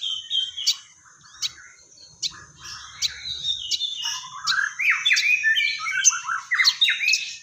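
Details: Sogon, the crested jay, chattering busily with sparrow-fight mimicry: sharp high chirps at first, then increasingly crowded sweeping and squeaky notes that build into a dense, agitated scramble of calls.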